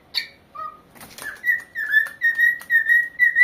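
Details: Corella parrot singing at home: an opening rasping squawk and flutter, then a low whistle rising to a long string of level, pure whistled notes in regular pulses, with faint wing noise.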